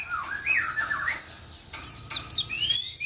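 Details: Oriental white-eye (pleci) in continuous rolling 'ngalas ngerol' song: soft, wavering mid-pitched warbles give way to a run of sharp, very high, descending whistled slurs, with a thin steady high tone behind.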